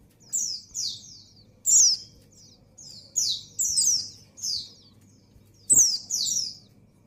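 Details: Female white-eye in breeding condition calling for a male: bright, high, thin chirps sliding downward, given singly and in quick pairs with short pauses, over a faint low hum.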